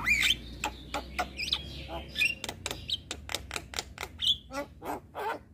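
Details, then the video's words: Jalak kebo, the Asian pied starling, singing gacor: squeaky whistled slurs interleaved with sharp clicking and scratchy broadband bursts, ending in lower harsh rasping notes; faint background hum. "Masteran Jalak Kebo Ini |Masteran Jalak gacor"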